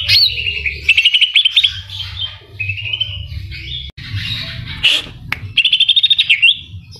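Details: Greater green leafbird singing non-stop, mixing in kapas tembak and cililin phrases: wavering high whistles broken by quick stuttering trills, a harsh chirp near the middle, and a low steady hum underneath throughout.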